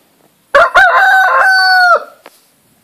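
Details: Rooster crowing once: a loud harmonic call of about 1.4 seconds, a short broken opening then a long steady held note ending abruptly, followed by a faint brief sound.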